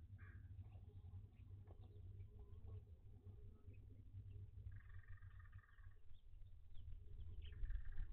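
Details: Owlets with their mother in a box heated above 90F on an 85F day, making rasping harmonic calls of about one second, three separated bursts, beneath a constant low droning background.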